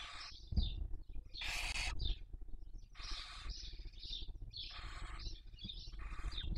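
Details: Barn owls at their nest during the 2023 breeding season in Cabañeros National Park, Spain, recorded by webcam: broad rasping hisses repeated every second or so, separated by short high wheezy chirps, over low hum.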